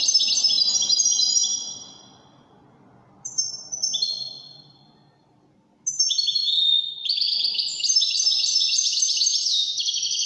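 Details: European goldfinch singing in the Widani song style: bright, tinkling twittered phrases with fast descending trills, a pause of silence, then a longer rich jingling run of liquid notes.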